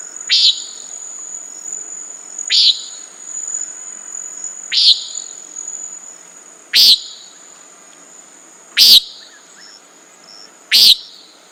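A common nighthawk gives six harsh, buzzy 'peent' notes, one every two seconds. A steady high insect drone hums in the background.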